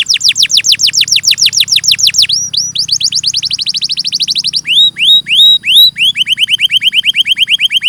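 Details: Canary in full song: a rapid run of descending notes, a buzzy rolling trill, a few slow upslurred whistles, then another quick series of rising chirps.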